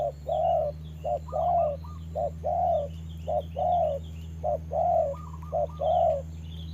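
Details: Caged spotted dove used as a trapping decoy, sparring with a wild bird during rain; soft low coos alternate short and drawn-out in a steady rhythm, with brief higher chirping notes and a constant low drone behind.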